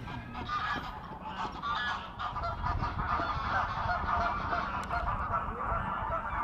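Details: Geese in a fight, grey and Canadian birds together, giving rough continuous honking that blends into a churning mass of sound with splashing-like noise beneath.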